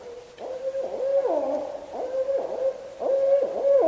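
Barred Owls calling at close range: a run of loud, wavering hoots and yelping notes that swoop up and down, several in quick succession.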